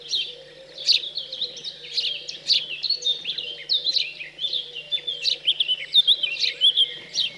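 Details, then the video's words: Recently fledged house sparrows calling during feeding in chilly rural central France, June 2020; insistent, rapid chirping and squeaky notes run almost without pause through the whole stretch, with a faint steady hum beneath. "MOINEAUX Domestiques/Nourrissage après l'Envol"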